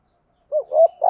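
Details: Decoy spotted dove giving 'thúc gù' urging coos in the 'giọng thổ' style, used to excite wild males: a brief run of three low, mellow coo notes, the last one longest. The notes run together, and no other sounds are heard.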